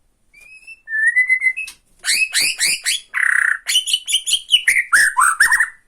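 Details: White-rumped shama from Borneo giving rattling calls to provoke another shama: a few soft whistles, then a rapid series of harsh, clicking, down-slurred notes with a short buzzy rattle in the middle.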